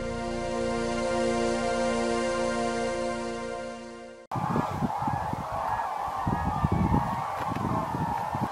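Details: A dense morning chorus of thousands of Common Cranes at their annual autumn gathering at Lake Hornborga, Sweden: many overlapping bugling trumpet calls merge into a constant mid-pitched clamour, preceded by a few seconds of soft music.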